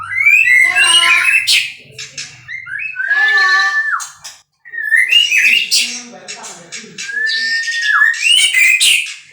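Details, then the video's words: White-rumped shama from a breeding stock, singing a medley of sweet whistles, descending slurred notes and raspy flourishes, with short quiet gaps between loud phrases. "muray batu suara mantap"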